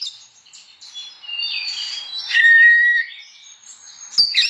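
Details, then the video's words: Oriental magpie-robin in morning song, goading other magpie-robins to sing; short high whistles and squeaky notes, then a loud clear whistled tone, ending with a sharp click and chirps. "Burung kacer gacor pagi hari, bikin emosi kacer lain supaya ikut bunyi.."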